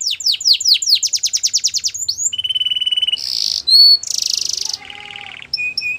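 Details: Canary training song moving through a fast run of falling sweeps, then steady trills, buzzy bursts and lower rolling trills, ending with short paired chirps.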